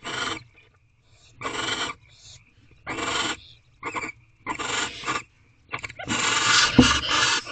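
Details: Barn owls, a bonded pair in a nest box with owlets, mating at night, 10:41 pm: harsh rasping hissed screeches in bursts of about half a second, repeated with short pauses, the last burst longer and louder.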